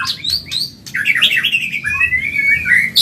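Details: Medan white-rumped shama singing very fast, used to train caged birds: high whistled notes, then a loud continuous tumbling warble that rises and falls before ending on a long sweeping whistle.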